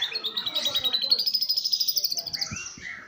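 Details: Atlantic canary performing lovebird-style song at fast, close-packed tempo: a sustained high rattling trill that climbs slightly, followed by brief lower whistled notes and a few soft knocks.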